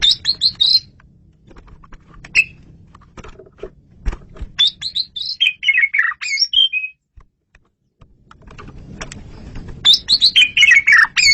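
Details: Asian pied starling (jalak suren) song for luring birds, loud and clear: rapid high whistled trills, falling slurred notes and chattering phrases, with a quiet gap before a final busy burst.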